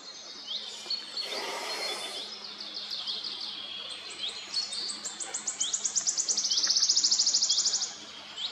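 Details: Wood warbler: scattered high notes, then a brief broad noisy rustle. The bird follows with a run of high ticks that accelerates into a loud, sustained, shimmering trill lasting about two seconds.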